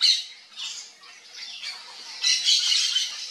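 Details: Yellow-faced parrot giving harsh, raspy squawks, one burst at the start and a louder, longer run of rough calls near the end, with quieter scratchy calls between.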